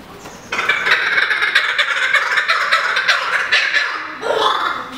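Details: Laughing kookaburra at Berlin Zoo: after a quiet start, a loud, dense burst of raucous cackling notes tumbling together for about three and a half seconds, then a short softer chuckle.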